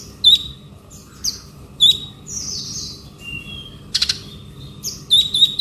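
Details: Ngobra-style song of a male konin: short, bright, high whistled chips at irregular intervals, mixed with buzzy descending sweeps and a brief harsh burst near the middle, in a calm setting.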